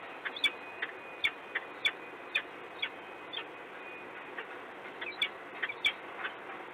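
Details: A peregrine falcon in Gdynia, Poland, on 26 February 2016 around 09:19 gives short, harsh, grating calls about twice a second, some louder and sharper, over a steady background hiss.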